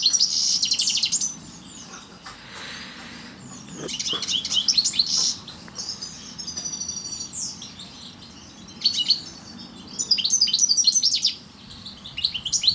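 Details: European goldfinch of the parva form singing in separate bursts of high twittering and trills, with quieter gaps between the phrases.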